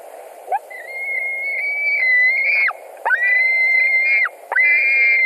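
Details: Late-evening fish delivery at a Latvian white-tailed eagle nest, 17 July 2020, with two birds vying for the catch: three long, high, level whistled cries with a grating edge, each ending in a steep fall.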